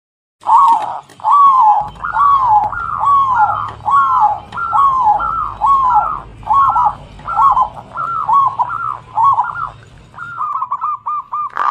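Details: Local zebra dove song used as a lure to stimulate other birds: a steady run of arched, hooting coo notes repeated about once a second, ending in a faster rippling trill, with a low hum underneath.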